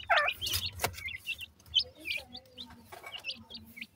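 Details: Black francolin (dakhni teetar) chicks, playful, in captivity: short high chirps repeated irregularly, some with rising or falling inflection, a few louder at the start, with scattered knocks and handling noise.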